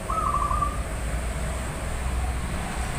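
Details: Local Javanese zebra dove giving a short, soft, bubbling trilled coo near the start, heard over a constant low rumble of background noise.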